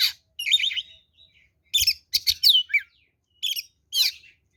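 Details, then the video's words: Oriental magpie-robin, a lure recording of its fighting song: short, loud bursts of high chattering and whistled notes, some sweeping and slurred, separated by brief pauses. "SUARA BURUNG kacer gacor NGEPLONG TARUNG ini paling AMPUH buat PANCINGAN kacer NYAUT EMOSI"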